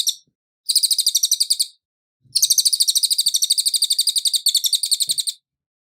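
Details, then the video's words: Cililin song used as a master recording for training other songbirds: clean, fast, high-pitched trills of evenly repeated sharp pulses, delivered in bursts of about one to three seconds separated by short silences, with no other sounds. "CILILIN Suara Asli Jernih"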